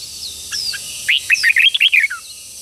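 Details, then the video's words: Red-whiskered bulbul song for training young birds: after two faint notes, a single quick phrase of about eight bright, slurred chirps tumbles down and ends on a falling note. "luyện cho chào mào bổi hót | luyện giọng chào mào hót sáng kích bổi hót đấu căng lửa. chào mào hót"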